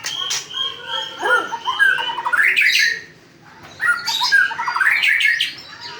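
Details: Melodious white-rumped shama song with a clear held whistle, then sweeping upward runs of quick liquid notes. A brief pause comes before another complex, tumbling phrase.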